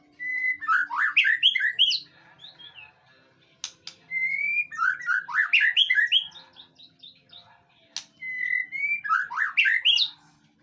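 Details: White-rumped shama singing on a training recording meant to draw a reply. Three bursts come about four seconds apart, each opening with a clear sustained whistle before a rapid cascade of varied, twisting whistled notes. Scattered clicks sound between bursts.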